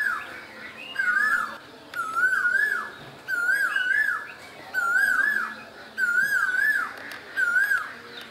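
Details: Asian koel calling in spring in Bangladesh: six strong wavering whistles, each about half a second, repeated at steady intervals, with sharp high chirps from other small birds between.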